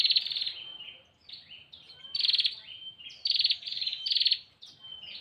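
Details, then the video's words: A female bar-winged prinia calls for a male, giving rapid rattling buzzes broken by brief level whistles and softer downslurred notes. The bursts come in uneven groups, and the background is quiet. "Suara burung prenjak betina memanggil jantan"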